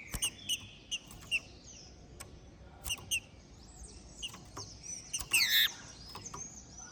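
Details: Captive-bred, ringed green-winged saltator of the Trem Bala song style from Minas Gerais, Brazil, singing heavily after its moult; short scattered whistled notes, a louder slurred burst near the end, and many sharp clicks throughout.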